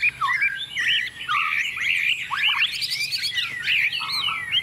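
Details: Chinese hwamei, a tame bird singing confidently on a table, delivers a fast, varied stream of rich whistled and warbled notes, swooping up and down without pause.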